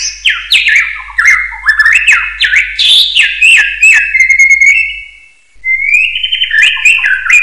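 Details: Common hill myna whistling, used as a training recording for other birds: loud, varied whistled phrases with sliding and stepped notes, many quick rising slurs, a brief pause near five seconds, then a long steady whistle and more rapid notes.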